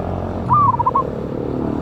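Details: A single phrase from a wild local zebra dove (perkutut) with a big voice, used as a lure sound, 11/8/24: one stretched note breaking into quick rolling coos, set against loud low rumble like passing traffic.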